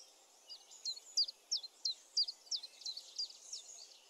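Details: Chiffchaff song of clear, high chip notes delivered at an even pace of roughly three per second, each note a crisp falling stroke, with light ambient noise behind.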